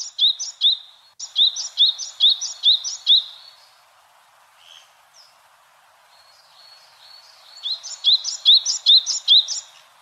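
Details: Yellow-bellied tit calling in rapid series of high, bright notes, about two per second, with a quiet pause and a soft lower note between two runs.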